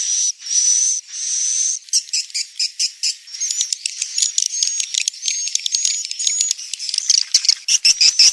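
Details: Swiftlet calling: thin, steady high whistled tones, then a run of rapid clicking pulses that merge into dense, buzzy twittering chirps, repeated without pause.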